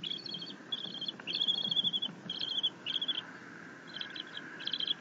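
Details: Eaglet of a bald eagle, content as its mother delivers a fish, 6.9.21. A string of high, rapid chittering bursts, repeated roughly every half second, some stretched into buzzy trills.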